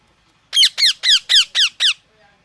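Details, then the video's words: Parrot giving a rapid string of six loud, harsh, evenly spaced squawks, each sweeping downward in pitch, with a quiet background. "natural mithu chirping sound|| parrot chirping"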